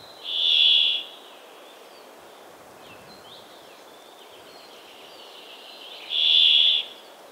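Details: Brambling repeating a long, wheezy buzz twice, about six seconds apart, each note steady and rasping, with soft scattered chirps of other birds and a light hiss between them.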